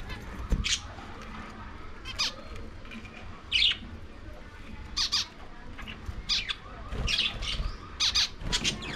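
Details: Lovebirds feeding on corn, giving short harsh squawks and chirps in scattered bursts, some isolated and some in quick clusters, over low background noise.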